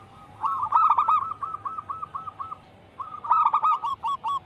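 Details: Energetic wild local zebra dove singing, a lure and training sound for caged doves: a rough rolling burst, then a neat evenly spaced run of short coos, a pause, and another burst.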